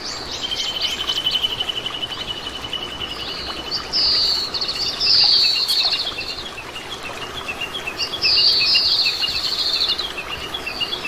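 Oriental greenfinch giving high, twittering calls with bursts of buzzy, tinkling trills every few seconds over a faint background hiss.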